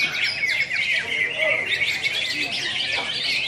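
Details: Greater green leafbird (cucak hijau) in song at a singing competition, Road To Presiden Cup IV, Pontianak, West Kalimantan, 3 April 2016; fast, shrill chirps and slurred whistles run together continuously, overlapping singers and low murmuring voices.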